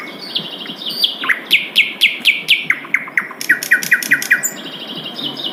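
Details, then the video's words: Wild Asian brown flycatcher (sikatan londo) singing: a sweet, rapid run of sharp, evenly spaced chirps about four per second, each with a crisp click, in two bursts, over soft natural background hiss. "SUARA MERDU SIKATAN LONDO DI ALAM LIAR"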